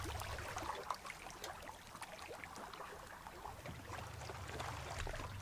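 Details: Water sloshing and splashing around a boat on Lake Superior during a wilderness camping trip, with scattered sharp knocks, a low rumble and wind noise, and no animal calls.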